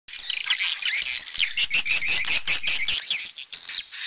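Swiftlets twittering in dense, high chirps and rapid squeaky trills, repeated in quick bursts about every quarter second, with no other sounds.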